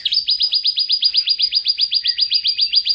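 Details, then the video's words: National champion canary singing a rapid, even trill of identical rising notes, about seven per second, sustained steadily and loudly throughout. "suara kenari juara nasional"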